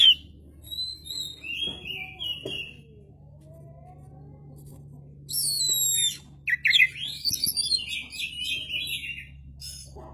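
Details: Oriental magpie-robin (kacer), a lively singing bird, with whistled phrases near the start, a quiet gap, then dense rapid chattering and rising whistled notes in the second half; steady low hum behind.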